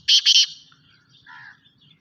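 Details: Black francolin, a Sindhi-type kala teetar, ends a call with two loud, harsh rasping bursts in quick succession. Quieter, softer chirps follow over a faint low background rumble.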